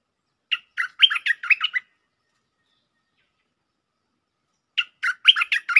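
A bulbul gives two bursts of quick, bubbling chirped notes, each lasting over a second, separated by a pause of about three seconds.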